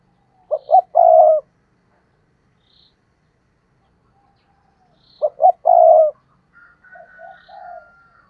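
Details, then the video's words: Spotted dove used as a tree decoy, calling to draw in wild doves. It gives two emphatic coo phrases about five seconds apart, each two clipped notes then a drawn-out hoot. Quieter coos and a thin steady whistle follow. "Chim Cu Mồi Cây Thúc Gù Và Gáy Gọi/ Cu gáy kích bổi nhanh nổi gù"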